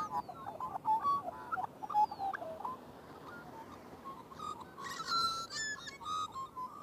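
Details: Magpies singing in a busy chorus of varied warbles, thin descending whistles and harsh bursts, with a louder run of bright fluting notes near the end.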